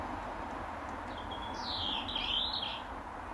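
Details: European robin singing its territorial song from an apple tree in a garden in the final hour of daylight: a thin high note followed by a rich, rapid, warbling phrase of sliding whistles, over a low continuous hum.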